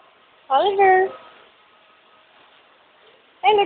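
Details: A pet Amazon parrot imitating speech gives a clear two-part harmonic hello-like phrase, a gliding then falling tone, repeated once more after a three-second pause in a quiet room.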